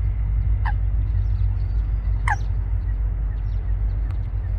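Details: Eurasian coot pair building a nest among water plants at Wangsong Lake: two sharp, explosive calls, each dropping quickly in pitch, about a second and a half apart, over a steady low rumble.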